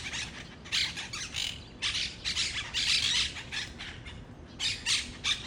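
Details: Several wild monk parakeets calling in a rapid run of loud, grating squawks, bursts coming almost back to back with brief gaps, against a faint low outdoor hum.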